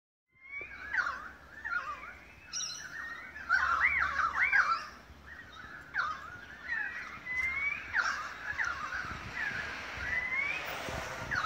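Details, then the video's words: Australian magpies in a long August 2015 group concert at Beverly Hills, Sydney, Australia: rich warbling, fluting and gurgling phrases with swooping, overlapping notes from several birds, rising and falling continuously. "Magpie concert"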